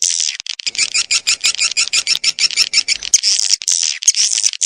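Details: Swiftlet calls: dense, fast twittering of high chattering notes run together, then a few longer buzzy bursts near the end.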